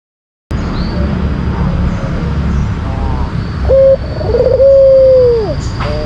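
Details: After a moment of silence and a background hiss, a white collared dove gives one lure-song phrase: a short clipped note, a quavering roll, and a sustained low coo that bends downward at its close.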